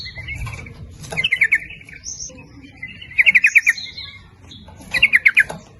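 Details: Sooty-headed bulbul in 'nguplik ropel' lure song used to attract males and females: three bright, rapid bubbling bursts roughly two seconds apart, with a few softer higher notes in between.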